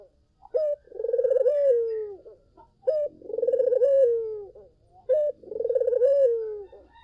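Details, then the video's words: A collared dove sings hard, its song used as a lure for other doves: three phrases, each a quick high note followed by a burbling, pulsed coo that sinks at the end, evenly spaced. "SUARA BURUNG PUTER GACOR! 100% pancingan ampuh,puter kamu pasti katut"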